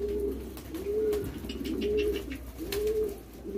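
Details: Young homing pigeons being hand-fed give thin, arched, squeaky calls, each rising then falling, repeated about once per second over soft rustling and feeding noise.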